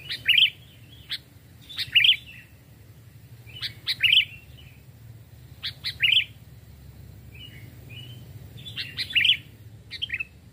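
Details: Sooty-headed bulbul decoy bird, raised from a chick, in the forest. Repeated loud bubbly chirp phrases about every two seconds, each with sharp clicks, and a pause of softer whistled notes near the end.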